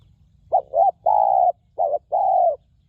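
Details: Spotted dove, a wild bird at a ground decoy with a ringing voice, giving two short notes and a long steady coo, then a second shorter pair of sustained mellow notes.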